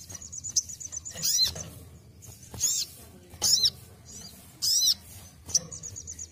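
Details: Ruby-cheeked sunbird basic song for training: shrill downward-slurred notes repeated at uneven intervals, with a fine high ticking trill between phrases.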